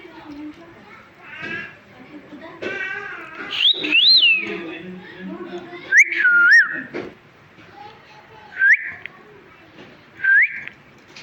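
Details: Talking pet parrot whistling: clear rising and dipping whistled notes, some looping up and down, repeated every second or two, over a low murmur with brief harmonic voice-like sounds.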